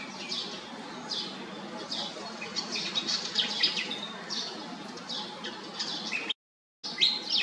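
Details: Pied fantail calling in quick repeated scratchy bursts, high and dry, with brief thin whistled notes mixed in; sound drops out briefly near the end.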